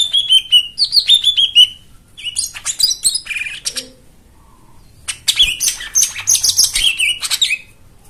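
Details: White-eye song intended to stimulate silent birds: falling whistled notes at the start, then dense buzzy twittering bursts separated by a brief pause.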